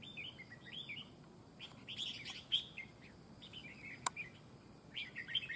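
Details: Red-whiskered bulbul used in a fight trap, giving softer looping whistled phrases and chirps, with one louder note near the middle and a sharp click, over faint background hiss.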